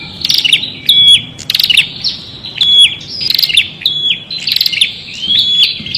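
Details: Continuous prinia singing, buzzy clipped notes alternating with clear short whistles in an energetic, repeating pattern.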